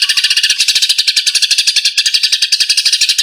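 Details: Eurasian tree sparrows fighting, recorded as training material for songbirds: a dense, unbroken stream of sharp, high chirps, about ten per second, harsh and scratchy, with no other sounds.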